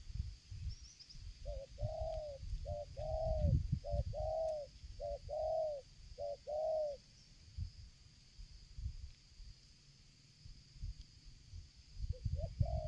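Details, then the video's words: A Spotted dove (tekukur), used as a lure bird, coos strongly and without stopping, with a stuttering rhythm. It gives soft, hollow coos, about eight notes over five seconds, and starts again near the end, over low rumbling wind noise. "tekukur ini kuat nguku dari jauh mendekat nguku takberhenti,penguku selang gagap"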